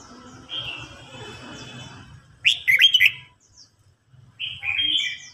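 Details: Red-whiskered bulbul in a singing contest, an older wild-caught bird challenging a young bird. Two bright, warbled phrases with quick up-and-down notes. A faint, lower-pitched rustling hum sits underneath during the first half.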